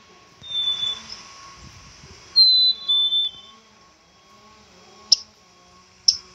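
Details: Black-capped chickadee whistling a clear high note then a lower held note, followed by sharp ticking clicks, with low background hum.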